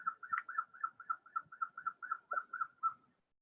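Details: Bushy-crested hornbills of Kinabatangan, Borneo, females of a flock-living species, giving a rapid train of about a dozen short yelping notes at steady pitch, roughly four per second, ending abruptly before a brief silence.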